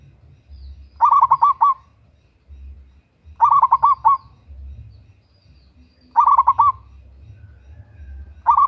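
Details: Local zebra dove, a female calling a male, used as a lure: loud staccato cooing bursts of about five rapid notes, repeated roughly every two and a half seconds, with low rumbling background noise.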